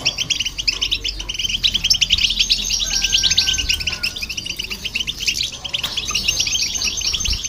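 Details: Goldfinch and hybrid singing together, used to provoke other birds; an unbroken rush of high chattering twitters, with a brief thin whistle sliding upward partway through.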